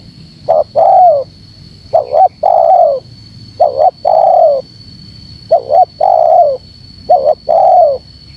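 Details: Spotted dove call played to provoke wild doves: repeated phrases of a quick two-part coo and a drawn-out mellow coo sinking in pitch, roughly every one and a half seconds, over a faint constant whine.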